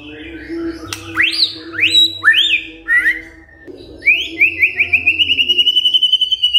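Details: White-rumped shama song in captivity: several rising upswept whistles, then a fast steady trill of repeated notes.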